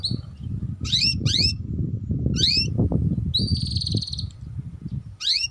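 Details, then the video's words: Canary lure song for young canaries learning 'ngeriwik' chattering. Scattered sharp rising sweeps come in pairs, followed by a short buzzy high trill, spaced out against a loud continuous low rumbling noise. "Pancingan Kenari Paud Cepat Bunyi || Cocok Untuk Kenari Paud Belajar Bunyi Ngeriwik"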